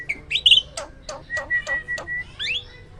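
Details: Loud song of a farm-kept hybrid myna: rising whistled slurs, a run of sharp clicking notes over a steady mid-pitched whistle, and a final upward-swept squeal.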